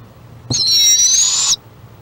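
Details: Barred owlet in a nest box, Lake Okeechobee, Florida, March 2017, calling to a sibling outside; one loud rasping screech about a second long, a strained high hiss with a faint upward bend, preceded by a soft knock.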